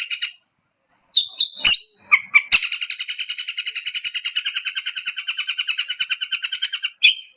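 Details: Long-tailed shrike song used as provocation: a few sharp chips and a falling slurred note, then a sustained rapid metallic buzz lasting about four seconds.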